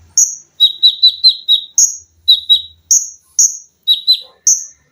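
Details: Olive-backed sunbird kept as a cage bird, singing a dense training song of 'tembakan', 'lengkingan' and 'besetan' types: piercing high notes swapping between two pitches, with bursts of four to five rapid chips and single shrill whistles.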